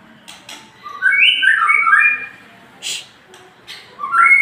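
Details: Male white-rumped shama, called murai jantan, kept as a songbird, giving rich whistled phrases that climb and fall in quick steps, then a short pause and a rising whistled note at the end.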